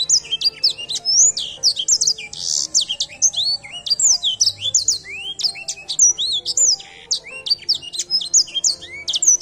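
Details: Edelsänger, a luxury bird shown in bird song competition, delivering a dense, continuous song of high whistled notes, fast sweeping slurs and trills, one phrase flowing into the next without pause.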